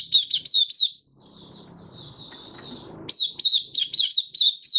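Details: White-eye in captivity, recorded 23 March 2022 in warm humid weather, giving quick high whistled chirps, each sliding downward. The song breaks for a soft, blurred, lower murmur, then the crisp chirps resume rapidly.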